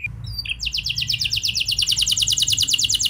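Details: Canary lure song to make other canaries sing along: a short high note, then a rapid, regular rattling roll of clipped notes, roughly three per second beats, over low background hum.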